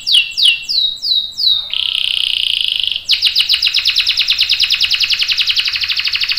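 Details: Canary with a long-rolling song for coaxing others to sing: several swooping notes, a sustained buzzy tone, then a long fast trill of repeated chirps continuing to the end.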